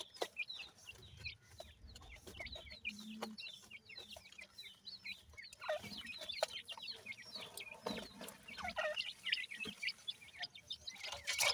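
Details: A group of teetar (grey francolin) chicks being fed: faint scattered peeps at first, then a livelier run of rapid high chirps overlapping, with occasional clicks and a low hum.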